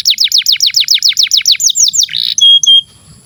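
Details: Long canary song for training young or silent birds: a quick even run of about twelve downslurred whistles, slower arched notes, a buzzy burst, then two short pure whistles before it stops.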